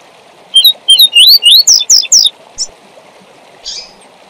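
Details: Double-collared seedeater giving the tui tui zel zel song used for training young birds: around nine clear, rising whistled notes delivered briskly, followed by a short buzz, with steady hiss behind.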